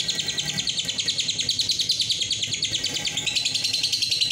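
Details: Roroh-style lovebird ngekek, a masteran to encourage long singing: an unbroken, rapid, rattling trill of sharp high notes, very evenly repeated throughout, clean and loud.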